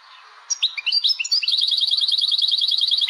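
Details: Tebnija with laglag from a caged Algerian European goldfinch: a few sharp chirps and slurred notes open into a steady, very rapid string of identical high tinkling notes held to the end.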